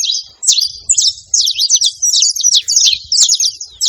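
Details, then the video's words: Saffron finch calling in bursts of rapid, high, sharp chips and short slurred notes, grouped into quick clusters separated by brief gaps. "canário da terra fazendo barulho"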